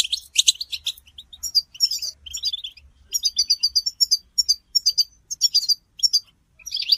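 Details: European goldfinches in batbata group chatter, mating calls used to break a male's silence and prompt singing; loud chirps open, followed by sparse, varied tweets and clipped, evenly spaced high notes in short runs.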